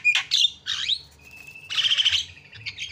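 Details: Javan myna calling to lure other birds into calling: a sharp whistle, a dipping swept note, a long steady whistled tone, then a harsh grating burst.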